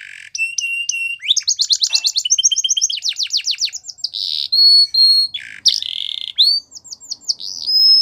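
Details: Belgian canary singing a training song for young canaries: rapid buzzy trills, clear whistled notes rising and falling, fast repeated chip series and sustained pure tones, bright and loud throughout.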